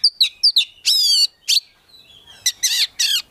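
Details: Oriental magpie-robin, a prospect bird from a collection, giving full isian gacor song: quick twin chips, a long buzzy harmonic note, a gap with a faint whistle, then several rich harsh bursts.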